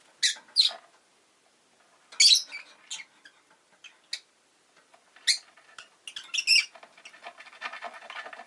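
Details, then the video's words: Pet rosy-faced lovebird chirping with faint town noise around: sharp high clicking chirps in short clusters, a few bright squeaky notes, then a rapid rattle of fine ticking sounds toward the end. "Lovebird Chirping Sounds"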